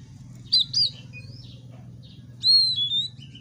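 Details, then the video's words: Oriental magpie-robin song meant to goad other kacer into fighting: two high, thin whistled phrases, one sliding and one long and level, with a soft hum underneath. "pancingan kacer agar tarung"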